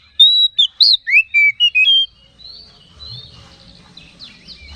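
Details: Oriental magpie-robin singing a lure meant to rouse other magpie-robins: seven or eight clear, loud whistled notes rising and falling in quick sequence, followed by faint, distant twittering.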